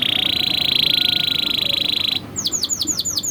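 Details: Tutoring song of a canary for young birds: a dense buzzy roll for two seconds, then a quick series of about seven high, down-slurred whistled notes.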